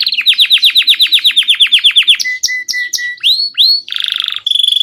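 Belgian canary song: a fast roll of about sixteen falling whistles in two seconds, then steady notes, rising sweeps and a bright buzzy trill.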